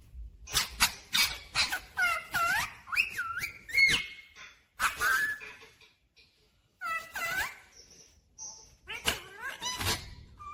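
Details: Talking rose-ringed parakeet, a pet said to say mummy papa, giving a run of speech-like syllables with bending tones and short whistles in several bursts separated by brief pauses, in a small room.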